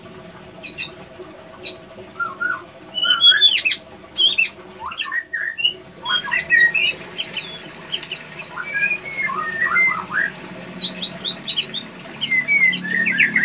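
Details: Male white-rumped shama in breeding condition at a breeding facility, singing a long, varied song: rapid high chips, sharp squeaky notes and short slurred whistles at shifting pitches, almost without a break, over a faint low hum.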